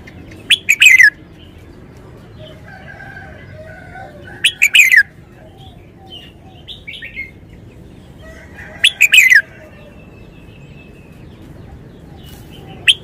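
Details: Red-whiskered bulbul, caged, performing a wild-style song (เพลงป่า). Loud, rich, warbled phrases of rapid up-and-down notes repeat about every four seconds, three phrases in all, with soft chirps from other birds between them.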